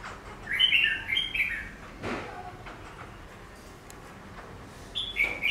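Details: Caged Chinese laughingthrush (Garrulax chinensis), shown its reflection in a glass pane, sings a rapid cluster of warbled whistles. A quiet stretch with a soft thump follows, and the clip ends with one more brief whistled phrase.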